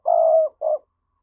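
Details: Spotted dove giving a thúc-style coo used as a lure to provoke wild doves: one long, steady, low hollow coo followed after a short gap by a briefer second coo.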